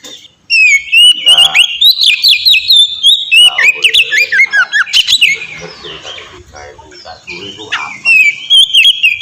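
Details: Oriental magpie-robin singing openly and melodiously, used to spur birds into song; a dense torrent of rapid whistles and chattering notes for several seconds, easing into softer notes, then rising again with clear whistles.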